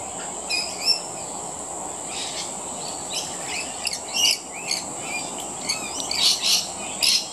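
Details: Rainbow lorikeets feeding, giving scattered shrill, screechy chirps and short chattering bursts over a steady high insect-like hiss, with louder squeals clustered near the end.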